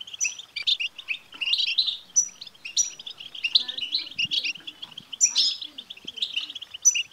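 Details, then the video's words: Goldfinch song meant to stimulate a caged male: dense, bright twittering with high clear notes and buzzy trills woven through it, going on without stopping, while a soft low murmur sits underneath. "بتبتة لتحفيز الحسون"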